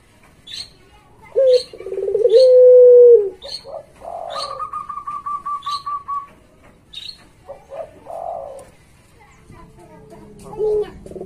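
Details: A Barbary dove of the puter pelung type gives a long, low, rolling coo that swells and then fades, then shorter higher coos, over quick, repeated high chirps from small birds.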